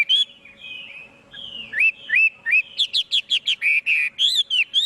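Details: Clear Chinese hwamei song: drawn-out level whistles and a few rising slurs at first, building into a rapid, loud string of ringing, bouncing whistled notes with sharp upper overtones.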